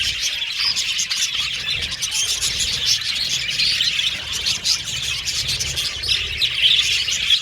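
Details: Budgies in a colony aviary chirp and chatter continuously, with bright, sharp tweets popping out above the steady high warbling of the flock.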